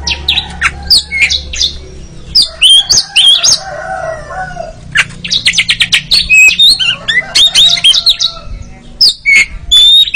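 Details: Oriental magpie-robin training recording for ngeriwik singing; varied loud chatter of whistles, buzzy notes and a quick rattling series of repeated chips, with brief pauses between phrases.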